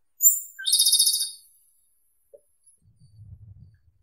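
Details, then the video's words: Japanese robin (Erithacus akahige) giving one song: a very high piercing whistle, then a short drop into a rapid metallic trill lasting about a second, followed by quiet low rumbling. "Как поёт Малиновка японская (Erithacus akahige)"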